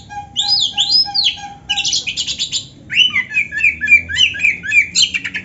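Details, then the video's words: Oriental magpie-robin (kacer) delivering 'gacor' song with complete canary-style fill-ins: swooping arched whistles, a scratchy chattering run, then a stream of quick, varied, chirping notes. "suara Kacer gacor isian komplit | Masteran Kacer ISIAN Burung Kenari"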